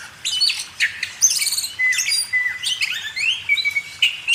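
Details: Oriental magpie-robin (kacer) song recorded to train cage birds: bright high bursts mixed with drawn-out downslurred whistles and trilled phrases, in short separate bouts.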